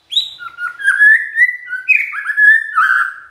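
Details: Magpie-robin sings continuously to provoke a reply from others of its kind, long sweet whistled notes gliding up and down, linked into a flowing, melodious phrase.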